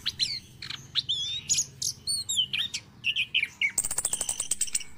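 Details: Morning song of an orange-headed thrush, used to coax reluctant caged birds to sing: a run of short sweet whistled notes and slurs, ending in a fast dry rattling series of high clicks.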